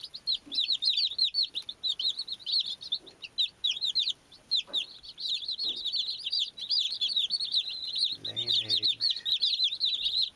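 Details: Baby chicks chirping: a dense, continuous chorus of high, sharp peeps, many overlapping, with a brief lower rasping sound near the eighth second.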